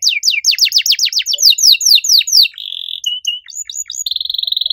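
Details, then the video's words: Canary delivering a loud song in a unique style: a run of quick downslurred whistles, a short flat trill, scattered chips, then a steady high rolling trill to the end. "Kenari gacor suara nyaring cengkok unik"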